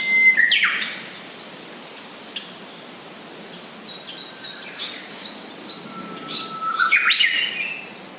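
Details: Japanese paradise flycatcher singing: a bright whistled note and sharp downward sweep open the phrase, then thin scattered high notes and a long level whistle that ends in a loud burst of notes, over steady background hiss.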